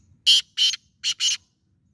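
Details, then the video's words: Black francolin calling: four loud, harsh, grating broadband notes in quick succession, two spaced notes followed by a closer-set pair, in a quiet setting with faint low background noise. "kala teetar ki awaz"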